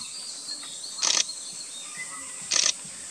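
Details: A Chestnut thrush in northern Thailand, 2018, gives two short, harsh, rattling calls about one and a half seconds apart, over a steady high insect drone.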